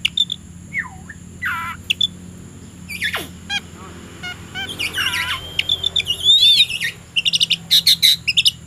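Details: Oriental magpie-robin (kacer) in the afternoon, ready to fight a rival, gives a varied song of whistled notes, rising and falling sweeps and rapid buzzy chatter in bursts; a steady hum sits underneath.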